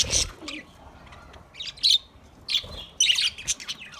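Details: Caged budgerigars give short bursts of harsh high chirps and squawks separated by brief pauses, with a few clear whistled notes among the scratchy chatter.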